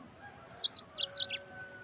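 Yellow-fronted canary giving a quick burst of high, bright twittering notes, three rapid phrases ending in a short downslurred note, over faint background hum.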